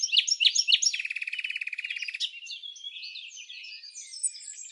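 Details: Red-backed fairy-wrens interact in the non-breeding season at Samsonvale, Australia; sharp high chirps lead into a quick rattling trill, then a long, softer, rambling twitter continues behind.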